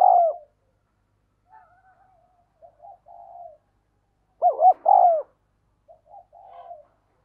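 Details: Spotted dove decoy cooing quickly to bring wild doves in: a loud coo opens, then soft, low murmured notes, a loud double coo at mid-clip, and quieter coos close the sequence.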